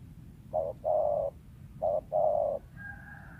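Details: Wild spotted dove repeating a low mellow phrase twice, each a short coo followed by a longer drawn-out coo, then a higher steady whistled note from another bird.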